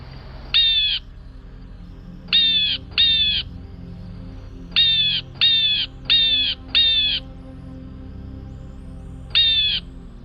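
Blue Jay giving harsh, nasal, slightly falling jay calls, one then bursts of two and four, each under half a second, over a faint low hum.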